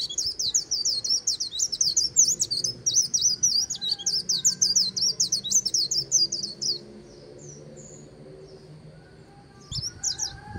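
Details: Riverside white-eye on the Kỳ Cùng delivering líu song: almost seven seconds of fast, high-pitched, chattering trills, then a pause with soft distant notes before another brief twittered burst.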